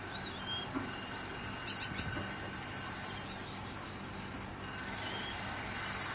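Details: Recessive dilute back and blue Gouldian finches kept in an aviary with a fan on during a heatwave. A rapid cluster of four or five sharp, high chirps, then fan noise and a faint later note.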